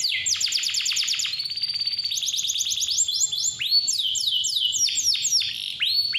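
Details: Clear-voiced canary singing to coax young or lazy canaries: rapid falling strokes, a rolling trill, then varied upswept and curving whistled notes in quick succession.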